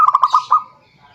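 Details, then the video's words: Single zebra dove phrase given to call a rival, five quick bouncing coo notes speeding into a final longer coo, then fading out. "suara perkutut memanggil lawan"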